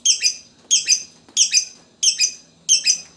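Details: Fighter lovebird used to spur other lovebirds into song: shrill, squeaky double chirps with a rasping edge, repeated steadily about every two-thirds of a second, five bursts in all, with a faint background hum.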